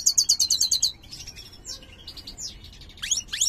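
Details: Colour-mutant European goldfinch of the large 'mayor' form, whose song is described as poor, opening with a very high, rapid repeated trill, then scattered sweeping notes and sharp descending slurs, ending in bright twittering.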